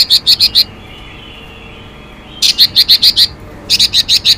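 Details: Chinese hwamei female calling to stir a male: fast bursts of four to seven sharp, slightly harsh notes, about three per second, separated by short pauses.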